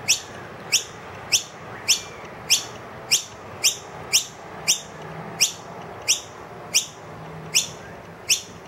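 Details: Wild noisy miner with two young indoors in a room, calling loudly for food because the feeder has run empty; sharp descending notes repeated steadily about every 0.6 seconds, around fourteen times, over a faint background hiss.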